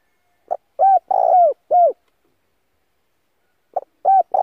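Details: Spotted dove decoy cooing used to lure other doves and train their voices: a short note followed by two or three deep, mellow coos, then a pause and the phrase starting again, in clean quiet surroundings.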